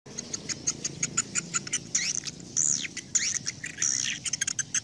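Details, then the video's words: Swiftlet call used to draw the flock to a swiftlet house: rapid trains of sharp high clicks mixed with buzzy, arching chirps and twittering notes, repeated in quick bursts over a low background hiss. "Tiếng Chim Yến Gọi Đàn Chuẩn Nhất. ÂM THANH GỌI CHIM YẾN VỀ NHÀ."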